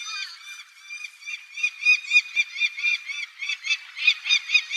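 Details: Peregrine falcon at a seaside rocky breeding site on Tobishima, Sakata, Yamagata, Japan, chick present: a female apparently begging food from the male in a rapid run of nasal, whining notes, about four a second, rising and falling slightly.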